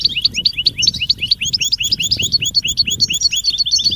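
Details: European goldfinch mating and readiness calls, known locally as butbuta, meant to stimulate silent males to sing: rapid, high, sharp chirps, each dipping then rising, repeated steadily in a bright twittering stream with faint low rumble beneath.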